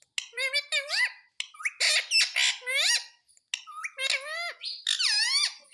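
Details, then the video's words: Rose-ringed parakeet mimicking human words such as 'Mummy Papa': three runs of shrill, raspy, speech-like syllables with upward-sweeping inflections, each run lasting over a second with short silent gaps between. "Parrot Sound _ Mummy Papa Bolne Wala Parrot _ Ringneck Parrot mitthu talking"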